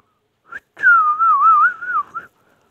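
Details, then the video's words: Ringneck parrot giving a short chirp, then one long, pure whistle about a second and a half long. The whistle wobbles gently in pitch and ends with a brief upturn. "ringneck|parrot amazing ringneck |talking sweet"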